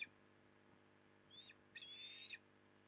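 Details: Osprey at its nest in Port Lincoln, Australia, on 15 September 2020, afternoon fish delivery, nest camera: two high, slurred whistled notes, the second longer and drawn out, over steady low background hum.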